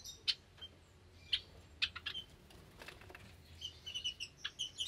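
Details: Java sparrows in a cage with recently hatched chicks, May 2022 morning; sparse, fainter high chirps spaced about half a second apart, then a softer cluster of quick twittering notes.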